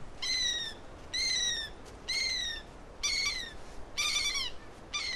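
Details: Andean gull, a hooded gull of the Andes, recorded in Peru: harsh, nasal calls with stacked harmonics, slightly falling, given in a series of about five, roughly one per second, over a steady background hiss.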